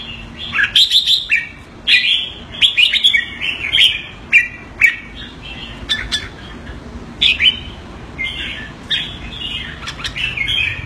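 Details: Pet Red-whiskered Bulbul in Singapore answering a command with keke calls: repeated bursts of scratchy chirps and quick warbles, roughly one burst every second or two, steady throughout.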